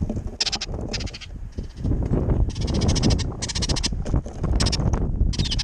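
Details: Several hungry Baltimore orioles fight over jelly at a backyard feeder in windy weather, giving repeated loud, rasping chatter bursts, each about half a second long, with short gaps between them and constant wind roar beneath.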